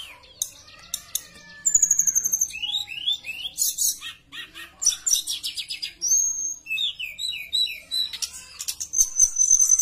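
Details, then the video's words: Javan bush lark singing persistently to draw other bush larks into song: a rapid series of downslurred chirps, harsh buzzy bursts and short trills at a quick, uneven pace, ending in a thin high whistle. "Pancingan Suara Tledekan Gacor buka paruh"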